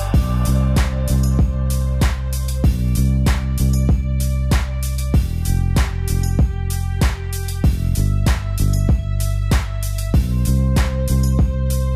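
Steady music with a strong drum beat, bass and guitar, and no animal voice anywhere.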